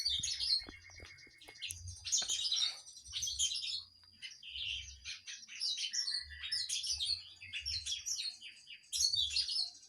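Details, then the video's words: Kinoi in lively song, a long run of high chirping bursts and twitters coming in clusters every second or two, with low knocking sounds underneath. "Kinoy gacor"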